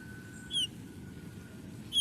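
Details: A Eurasian Bullfinch, a quiet, unobtrusive finch, gives two soft, short, slightly falling, sorrowful piped whistles about one and a half seconds apart, over a faint steady hum and low background noise.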